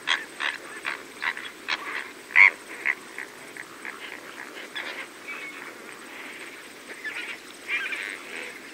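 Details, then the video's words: Several greater flamingos feeding alongside lesser flamingos give harsh, nasal, goose-like honks, overlapping in quick bursts that fade into a steady, softer murmur of the flock; medium close-up recording. "Greater Flamingo / MCU Calls From Several Birds Feeding With Lesser Flamingos"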